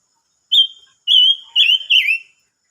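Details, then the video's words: Silver-eared mesia singing, recorded 25 May 2022: four loud clear whistled notes, the first flat and steady, the last two dropping slightly in a quick run, with soft higher overtones and a quiet background. "chim ngú sắc hót mới nhất"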